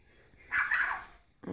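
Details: African grey parrot imitating a dog's bark: one short, rough, harmonic bark with energy concentrated in the upper-middle range, after a person repeatedly says "roof" in a quiet indoor setting.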